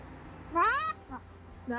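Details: Pet Moluccan cockatoo outdoors on a patio with its owner, happy during patio time: one loud, harmonic, rising-then-level call lasting about a third of a second, then a brief softer note and another call starting, with a woman talking nearby.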